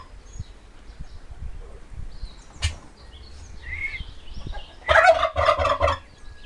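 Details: Turkey gobbling: a loud rapid rattling gobble burst around the five-second mark, preceded by quieter background sounds and a sharp click.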